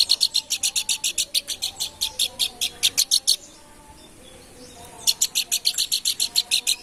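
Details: Lively planduk bukit babbler: a long, fast series of around twenty bright, buzzy chirps, a silent pause of about a second and a half, then another quick run of some fourteen similar notes.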